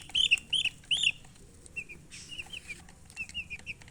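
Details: Chicks peeping: three loud, arched, high chirps in quick succession, then softer, shorter cheeps repeating irregularly as the clip continues.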